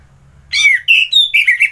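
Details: Kubutambahan, Bali, morning: an Orange-headed thrush gives a brisk phrase of a falling whistle, a level note, a higher thin note and quick warbled notes, all clear against a quiet background.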